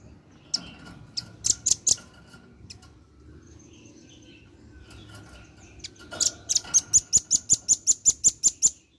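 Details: Vigorous male velvet-fronted nuthatch calling its companions as a lure: a few sharp chips early, a pause with faint background noise, then a long, steady burst of rapid high-pitched notes.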